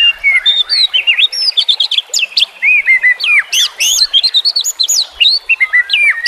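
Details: White-rumped shama singing on a training recording meant to coax silent caged birds into song: a dense, unbroken run of loud, varied whistled notes, sharp upsweeps and quick trills, with barely a pause throughout.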